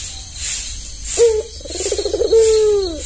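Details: Caged albino Barbary dove with white plumage and red eyes, tame: one full coo, a short sharp opening note, a bubbling rolled trill, then a long smoothly falling tone, against a gentle pulsing background.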